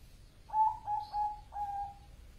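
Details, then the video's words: Bangkok-type zebra dove singing vigorously: a short series of four soft, hollow, even-pitched cooing notes, the last drawn out longest, over a quiet low rumble. "perkutut bangkok gacor"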